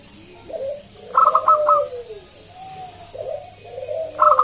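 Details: Loud local zebra dove used as a lure to make other doves sing: short bursts of rapid staccato notes mixed with soft, falling coos and pauses, with a further burst at the end.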